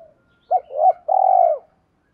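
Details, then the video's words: Spotted dove lure bird with 'giọng thổ' voice, delivering one low phrase: a brief hooted note, a wavering middle note and a long, steady, buzzy coo, clean and quiet around it. "Chim Cu Mồi Thúc bổ nhanh gáy"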